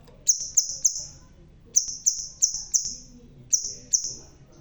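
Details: Bald crimson sunbird in full voice, giving clipped high-pitched tsip notes in quick groups of three or four, each with a thin ringing tail, then brief silences.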